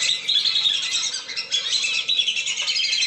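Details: Lesser whistling duck flock sound used as a lure to make the birds land: a constant mass of high, piercing whistled notes that pulses slightly in loudness throughout.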